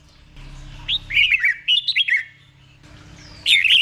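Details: Red-whiskered bulbul from Thailand singing a tutor song for caged birds to copy: a run of slurred, looping whistles, a quiet gap, then a brief bright burst at the end.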